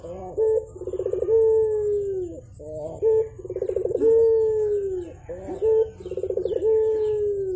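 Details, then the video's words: Javan turtle dove calling busily in the morning, giving three phrases of a short note, a stuttering rolled trill and a long smooth low coo sliding downward, each about two and a half seconds long. "BURUNG PUTER GACOR"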